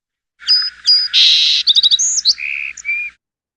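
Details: Song sparrow song played back during a talk on bird communication. Two clear whistled notes open, then a loud buzzy burst, a quick stutter of rapid chips and sweeping notes, and two flat whistled tones to finish, about three seconds long.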